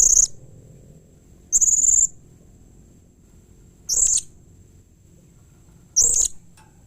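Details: Blue-crowned hanging parrot calling in a way said to make other hanging parrots respond: four piercing, very high, squeaky notes, each under half a second, repeated every two seconds or so, over a thin steady high tone.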